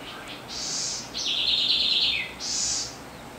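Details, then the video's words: Single forceful song phrase of a Southern house wren (Troglodytes musculus), known locally as Corruíra: a bright high rushing note, then a rapid rattling trill that drops in pitch at its end, closed by another high hissy burst. "O Fascinante Canto da Corruíra – Pequena, Mas de Voz Poderosa!"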